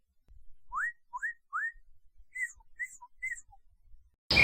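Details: Northern cardinal song: three clear whistled notes sweeping upward, then a set of short slurred notes turning downward, each phrase about half a second apart, in near silence before a sudden burst of noise at the end.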